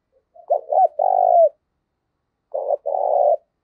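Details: Spotted dove call used as a decoy to provoke fighting: low cooing phrases, a few short hooked notes then a long purring coo, repeated after a pause with a two-part coo, on a clean silent background.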